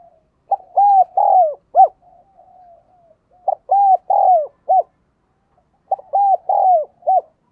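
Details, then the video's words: Spotted dove used as a decoy, cooing to call in wild doves: three phrases, each a quick pickup note followed by rounded, arching coos ending in a short clipped note, repeated about every two and a half seconds. "Tiếng Chim Cu Mồi thúc Và Gáy Gọi Bổi"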